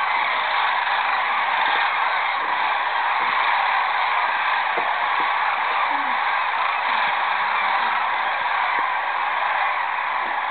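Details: Roosting sandhill cranes on the Platte River at Rowe Sanctuary, 30 March 2012, flushed into the air by an approaching eagle; a dense, continuous chorus of many rolling, overlapping calls fills the whole stretch at steady loudness.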